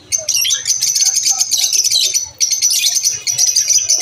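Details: Lunch-time chatter from lovebirds: a nearly continuous wash of piercing, high chirps and buzzy trills, breaking off briefly midway before resuming just as densely.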